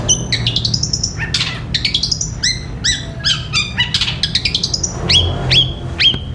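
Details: Long-tailed shrike singing 'gereja petir' style song used for training caged birds: varied sharp chirps, quick trills and downslurred whistles in a clean recording with light low hum.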